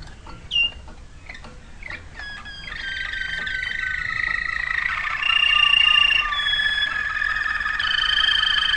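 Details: Waterslager canary beginning with scattered soft clicks and a few chips, then building into a long, continuous rolling trill that grows louder and richer over several seconds.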